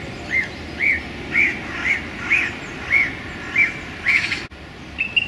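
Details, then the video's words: Male song thrush singing in a small London park on a sunny January day: a run of eight near-identical arched whistled notes, about two per second, ending in a brief harsher burst over low distant hum. "Song Thrush Turdus philomelos singing in a London park on a sunny January day"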